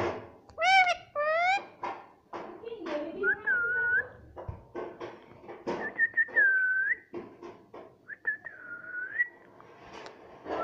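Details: A pet talking rose-ringed parakeet that says "mummy" chatters in mimicked speech, mixed with clear whistles and long, level whistled notes that bend at the ends, in a quiet room.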